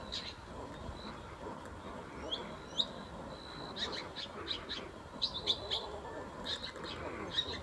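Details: Long-tailed shrike copying the calls of other birds at a wetland: thin high whistles and sliding notes at first, then clusters of sharp, clicking chirps in quick bursts, each phrase different from the last, over steady low rumble.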